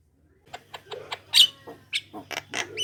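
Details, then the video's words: Short burst of Javan myna lure song: clicks and raspy notes with one sharp squeal in the middle, rising into louder grating calls at the end, over a faint electrical hum. "Jalak kebo gacor ngoceh suara pikat buat pancingan jalak kebo manapun || pancingan jalak kebo"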